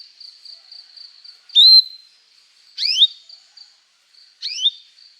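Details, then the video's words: Canary singing as a lure to teach young birds to sing: three sharp rising whistled notes over a thin steady high tone, spaced about a second apart. "Kenari Gacor Panjang Cuit Cuit emosi, Pancingan Kenari paud belajar bunyi"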